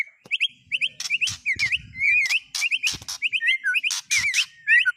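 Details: White-rumped shama song with fill-ins copied from speed cililin, canary and lovebird: loud, varied whistled phrases, rising and falling slurs around the middle pitch, broken by sharp, harsh, high bursts, delivered in quick succession.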